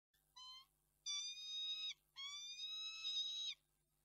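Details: Peregrine falcon, recorded 11 March 2022, gives three drawn-out, nasal wails: one brief note, then two longer steady ones of nearly a second each, with a quiet background.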